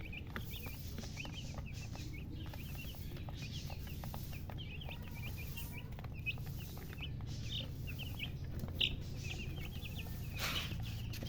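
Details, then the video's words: Chicken chicks chirping continuously: dense runs of short high peeps, several overlapping, across the whole stretch, with low background rumble and frequent clicks, plus a brief rushing noise near the end. "Baby "Chicks Chirping" Sound"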